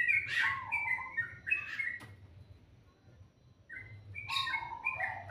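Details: Melodious morning birdsong: clusters of quick high chirps and short whistles, a quiet gap in the middle, then another lively burst of twittering notes, with a soft low rumble underneath.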